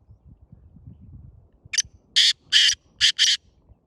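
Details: Grey francolin call used to attract other partridges: after faint low rumbling, five loud harsh broadband bursts arrive in a quick uneven sequence, the middle ones longest.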